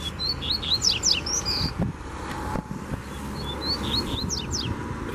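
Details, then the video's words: Wild Double-collared Seedeater pressing a fibre challenge against a caged bird, Brazil. A lively phrase of high whistles and steep buzzy sweeps, a pause, then a softer repeat, over faint passing traffic rumble. "Puxada de Fibra Top!!! Coleiro Solto Veio Com Força Pra Cima"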